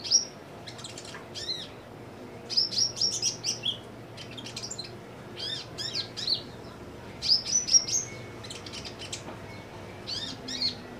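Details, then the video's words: Kolibri ninja sunbird, caged and singing actively after simple care, delivers bursts of rapid high chirps and thin squeaky notes separated by short pauses, over a low steady hum. "KOLIBRI NINJA GACOR"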